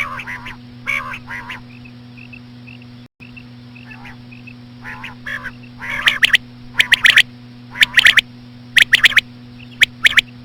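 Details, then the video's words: Slow female common quail calls used as a lure for quail: nasal buzzy calls and soft faint notes early, then sharp clipped triple notes in quick bursts, all over a constant low hum. "BATAIR KI AWAZ SLOW KIRK KI SAT| COMMON QUAIL CALLING WITH SLOW FEMALE QUAIL SOUNDS | FEMALE QUAIL"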